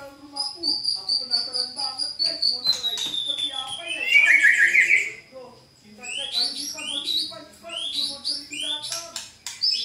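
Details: White-rumped shama song used to provoke caged birds to respond. Sustained high whistles slide down into a loud rich trill, followed by repeated sharp upward-flicking notes in quick series, with a faint constant drone beneath.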